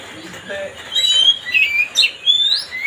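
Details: Oriental magpie-robin song played to goad another bird, made of thin high whistles and sliding notes that grow louder partway through, ending on a sharp upward whistle.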